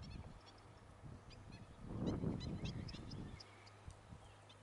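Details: Black-winged stilt chicks, Gran Canaria, June 2020: scattered thin high peeps throughout, partly covered midway by a loud low rumble of rustling noise.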